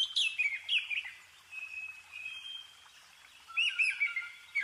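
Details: Scarlet finch in the Himalayas in December 2023, early morning before sunrise: clear, slurred whistles that dip and rise, with a quick run at the start and another pair near the end, and soft twittering between; the chirp is said not to be the bird's original sound.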